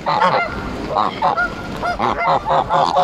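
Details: Embden geese honking while being petted and fed at Longton Park, Stoke on Trent, on July 18, 2022: loud, nasal honks in quick bursts, repeated about every half second, with short pauses between clusters.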